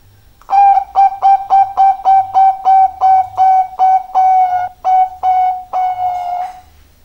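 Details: Zebra dove of the Bangkok type with a big voice, giving a rapid series of about fifteen short, clear notes, each sliding slightly, evenly spaced and slowing toward the end, with faint low rumble beneath.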